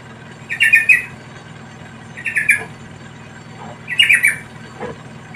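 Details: Chicks of a wild yellow-vented bulbul begging while a parent feeds them: three rasping, squawky bursts, each made of several quick notes, spaced under two seconds apart, against a faint low hum.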